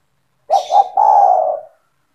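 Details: One phrase from an owned spotted dove in 'gacor' form, used to lure other doves: two short soft notes and a sustained, slightly rough coo lasting under a second.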